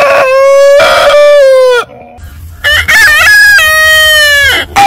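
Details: A rooster crows loudly and at length, the tone held and then sliding down. After a brief quiet spell another drawn-out crow follows, and a new one begins at the end.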